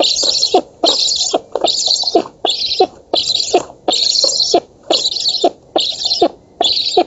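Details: Black stork chicks in an oak nest in Poland, 11 August 2017, begging at a feeding with a continuous run of harsh hissing bursts, nearly one per second with tiny gaps.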